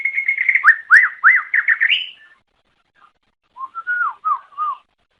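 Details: Greater green leafbird, a songbird of Java, Sumatra and Kalimantan, song used to attract others of its kind: a lower whistled run of steady notes and rising-falling slurs, then after a gap a set of descending whistles.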